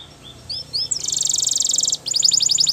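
A Belgian canary sings high, clear notes, then a fast buzzy trill held for about a second, followed by rapid repeated rising chips.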